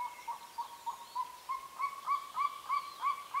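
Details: Golden eagle at a nesting site in the remote Carpathian mountains, Northern Romania, giving a steady series of thin, arched yelps, about three per second, that grow slightly louder. The background is faintly noisy but otherwise quiet.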